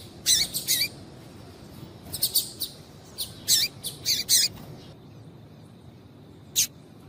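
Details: Female double-collared seedeater calls used to stimulate males to sing: short, sharp high chirps in pairs and clusters, some doubled, with pauses between groups and a faint steady hiss behind.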